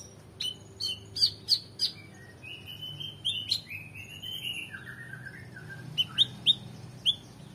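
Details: Oriental magpie-robin singing with varied fill-in phrases, for training competition birds: quick high chips, then a warbled sequence of lower, wavering whistled notes sliding downward, ending in spaced sharp high chips.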